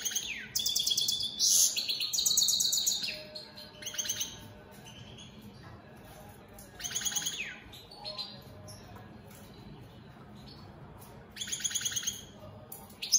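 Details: High, bright twittering song from European goldfinches of the opal split Satane mutation, delivered in bursts of rapid tinkling and buzzy notes separated by quieter gaps of a second or two.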